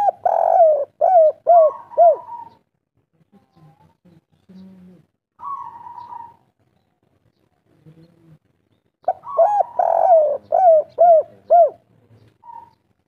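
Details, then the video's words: Local derkuku (spotted dove) in 'kuk 3' style song. Bursts of four or five arched coos open and close the passage. Between them are a drawn flat note and faint low murmuring sounds. "derkuku kuk3 lokal gacor ngamuk"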